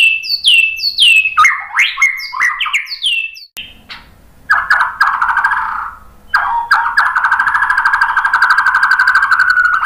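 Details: White-rumped shama lure song meant to make other shamas answer and sing: rapid falling whistled notes for three seconds, then long buzzy, grating trilled phrases held steady after a short break.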